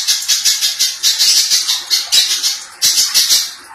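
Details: Little spiderhunter singing a rough, tightly packed master song for training other songbirds; fast high buzzy chatter pulsing about once a second with brief gaps.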